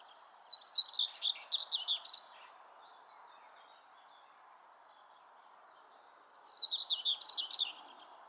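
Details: Common whitethroat at Oud Herlaar, 6 July 2015, gives two brief, scratchy, jumbled warbles of about two seconds each, several seconds apart, over a steady low rumble.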